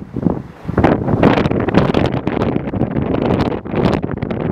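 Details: Gusting wind buffets the microphone in uneven bursts over a rumbling, watery background, with no calls heard.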